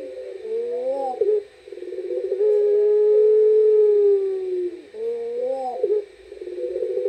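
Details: Puter pelung turtle dove calling after dark, with a rippling rising phrase, a long smooth held coo that slowly falls, then the rippling phrase again.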